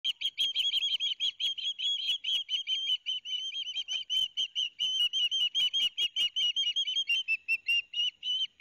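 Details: Two young ospreys at a nest in Barnegat Light, New Jersey, 13 September 2021, call noisily as their father delivers fish: rapid, high whistled chirps with slight up-and-down inflections, about two or more per second, running almost continuously.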